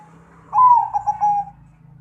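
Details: Zebra dove singing in the 'suara gede' manner: one low, warm cooing phrase of bubbling pulses about a second long, over a steady low electrical hum.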